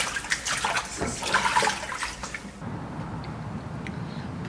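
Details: Running water splashes with faint voices for the first half, then a steady low background hum with no animal calls.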